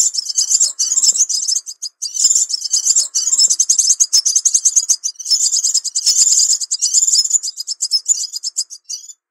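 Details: Crimson sunbird lure call: dense, high-pitched chirping and twittering in rapid, uneven bursts, nearly continuous with a few brief pauses.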